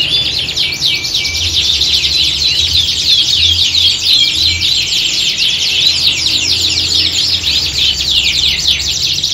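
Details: Group of canaries singing as training for a singing contest, mimicking the competition atmosphere: rapid rolling trills and quick sweeping chirps from several birds at once, sustained and intense, with a few short whistled notes early on.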